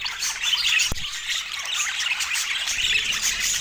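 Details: Pet budgerigars chattering together, a thick blend of bright chirps, trills and scratchy squawks; a single sharp click or knock cuts through just before the first second.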